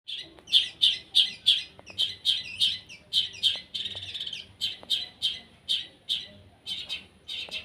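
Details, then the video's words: Long-tailed shrike (cendet) being sunned, delivering a fast run of sharp, high chirps, about three per second, steady and loud throughout with little else heard. "JEMUR CENDET SEMBUR PASTOL"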